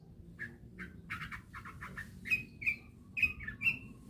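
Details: Long-tailed shrike song used as a lure to prompt other shrikes to sing: short harsh rasping notes repeated rapidly, then clearer whistled notes that rise and are repeated about every half second, over faint low background hum.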